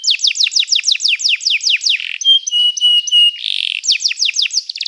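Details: Canary song for training: a fast series of repeated downslurred notes, then steady flat whistles, a brief buzzy trill, and more rapid falling notes.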